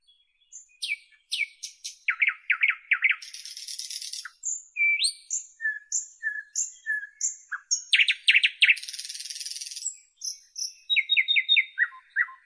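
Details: Dense, inventive nightingale song: clusters of rapid chirps, two long rasping rattles, a run of evenly spaced repeated whistles and accelerating stuttered notes, with barely a pause throughout.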